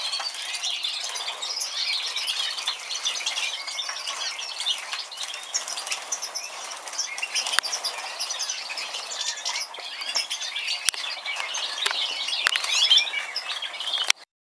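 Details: Major mutation European goldfinch, 2013, delivering a long run of fast, high twittering with chirps and scratchy buzzes, steady throughout, with a few sharp clicks.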